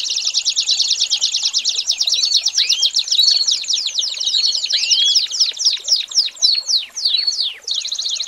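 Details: Training recording of an American Singer canary for young birds: a long smooth rolling trill gives way to looping rising whistles, then to slower, distinct downward-sweeping notes repeated in a steady series.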